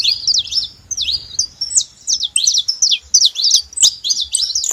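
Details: Saffron finch singing free in the wild: a loud, continuous run of sharp, high chipping notes with quick rising and falling strokes, delivered in rapid bursts with short gaps.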